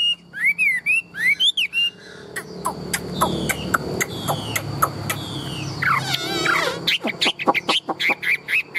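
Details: Caged, tame Chinese hwamei with a large build, kept as a singing bird. Opens with loud whistled up-slurred notes repeated in quick pairs, then a stretch of sharp clicks and slurred phrases, ending with a burst of short whistles.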